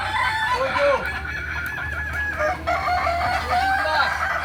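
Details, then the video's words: Crowing contest practice for Kukuak Balenggek roosters, Ampang Kualo, Kota Solok, May 2024: steady overlapping crows, their notes stepping up and down in chained, stuttering syllables, over a constant low hum. "Latberan Ayam kukuak balenggek"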